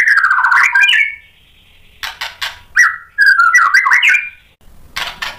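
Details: Provoking song of a White-rumped shama: a loud warbled whistle, a quiet gap, scratchy notes, then a bright slurred whistled phrase rising and falling, ending in hissy chatter.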